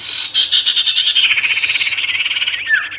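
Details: Ashy tailorbird song aimed at provoking wild birds: a steady fast pulsing buzzy rattle lasting several seconds, ending in a slurred downward whistle.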